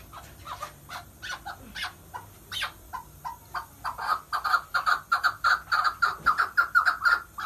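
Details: Chukar partridge (mountain partridge, keklik) singing a run of short clucking chuk notes, first scattered and uneven, then louder and steadier, settling to about three notes a second by the end, over faint background hiss.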